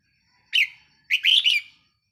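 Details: Caged red-whiskered bulbul used as a decoy, recorded 4 May 2023; two clear loud phrases, a short bright chirp then a longer rolling warble, against a quiet background.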